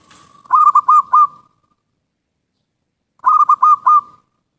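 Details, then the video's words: Zebra dove song for luring birds, with two purring phrases spaced about three seconds apart, each four quick rolled coos joined into one bubbling burst; a faint hiss at the very start. "suara burung perkutut | terampuh dan paling bersih cocok buat pikat"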